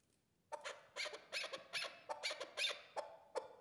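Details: Hunting decoy chukar partridge from Qubodiyon, Tajikistan, calling indoors. After a short silence come grating, scratchy bursts, some doubled, spaced about half a second apart, ending with a few single sharp notes.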